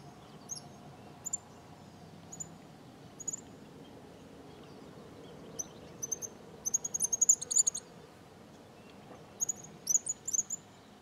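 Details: Cattle Tyrant from a small flock in the sertão of Bahia, Brazil, giving very high, thin, squeaky notes in short bursts, building into a quicker twittering run midway, over a low steady background hum.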